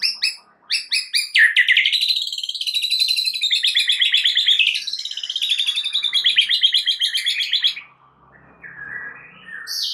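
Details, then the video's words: Lure song of a white-rumped shama, meant to draw out a rival's full repertoire: opening separate high chips, then a long, dense, fast chattering warble held at high pitch for several seconds, followed by softer lower notes and a final high call. "Murai Batu anda dijamin langsung BONGKAR ISIAN dengar PANCINGAN Murai Batu satu ini"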